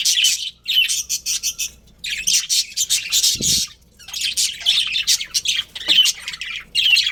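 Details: Colourful budgies from a breeding colony chirp and warble in high, bright phrases. Each outburst lasts about a second, with short gaps between them and a soft low thump midway.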